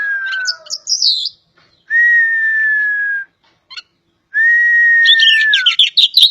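An Oriental magpie-robin sings long, steady, pure whistles, each held over a second, broken up by quick bursts of high, scratchy, twittering notes.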